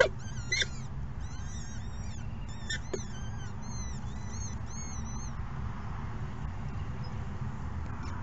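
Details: Falcon chicks during the second feeding of the morning: a run of thin, wavy, high-pitched whines for about five seconds, with a few sharp knocks, then fading into low steady rumble.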